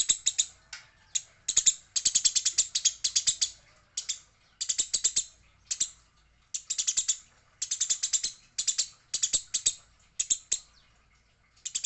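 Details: Eurasian tree sparrow in a fight, noted as female, keeps up a long run of dense, harsh chirp bursts, almost continuous, each volley a quick string of high notes with short breaks.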